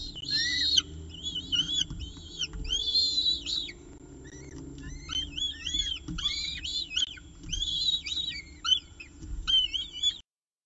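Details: At a peregrine falcon nest during the evening meal in Orange, 18 October 2018, 6:51 pm, nest camera: shrill, quavering high cries in bursts roughly every second, with softer chirps between and a faint hum beneath.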